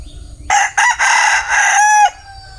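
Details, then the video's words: Bantam rooster crowing: one loud, harsh crow of about one and a half seconds, split into short opening bursts and then a long held note that ends abruptly, over a quiet background. "Tiếng Gà trống tre gáy"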